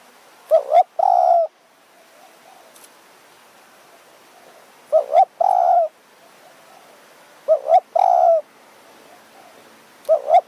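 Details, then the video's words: Spotted dove calling at a decoy-luring spot in the high forest of Kanchanaburi, Thailand, in the evening. Three full phrases about every two and a half seconds, double rising notes then a longer coo, a fourth just beginning. "ต่อนกเขาใหญ่ป่าสูง เมืองกาญ | หมายเสียงเล็ก คารมจัดจ้าน"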